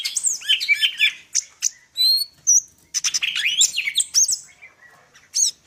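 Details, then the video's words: Song of a greater green leafbird (cucak ijo) from Medan, mixing fast warbled slurs, a few pure high whistles, and scratchy chatter in lively bursts. "cucak ijo medan_gacor full isian"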